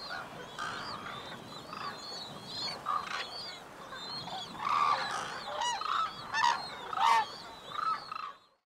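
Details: Courting white-naped crane pair performing the unison call. Softer, somewhat distant-sounding honks build through the second half into several louder harsh notes, with faint thin whistled calls early on, before the sound cuts off abruptly.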